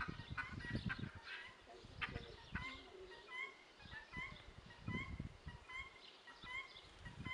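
Guineafowl give harsh, rasping, chattering calls in quick repeated bursts, with low thumps and shuffling noises underneath.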